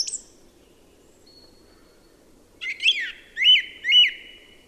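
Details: Song thrush song: a short high note, a gap, then a scratchy flourish and a ringing whistled phrase repeated twice, about half a second apart. Low background hum throughout.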